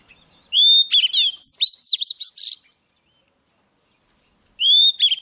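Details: A young Oriental magpie-robin sings energetically when a wild bird draws close, giving a clear whistled note, a fast string of clipped, ringing chirps, then a silent gap before the next phrase begins.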